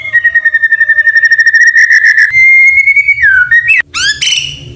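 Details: White-rumped shama in full song, with canary and cililin imitations in its repertoire: a long, fast, buzzy trill held at one pitch, then loud pure whistles and a few sharp rising notes.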